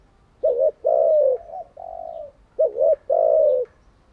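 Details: Captive decoy spotted dove giving its coo, used to train wild-caught and decoy doves each day: two full phrases, each a wavering double note followed by a long, soft, gently falling coo.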